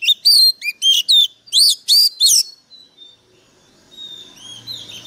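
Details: Excited White-rumped shama kept as a lure bird, singing with a harsh, forceful voice: loud slurred whistles in quick succession, then fading into soft, thin, drawn-out notes over a faint low hum.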